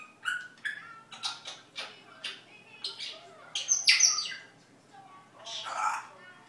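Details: A pet parrot that is learning Dutch words, barking and whistling gives a rapid series of short chirps and raspy squawks, about two per second, with a louder, harsher burst near the middle.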